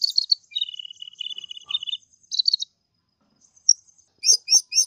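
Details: Energetic song of a kolibri ninja sunbird, used to tutor other birds: fast sibilant trills at two pitches, a short pause, then a few sharp high chirps at the end.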